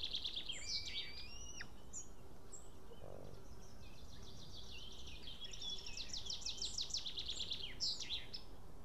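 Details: At a nest in Estonia on 8 June 2018, a male White-tailed eagle returns after ringing with a fish that he then loses. Scattered squeaky notes and whistles lead into a fast burst of yelping strokes near the end.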